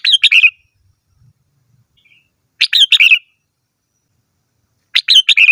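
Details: Red-whiskered bulbul delivering three bubbly phrases of four to five quick whistled notes, about two and a half seconds apart, with faint low rustles between.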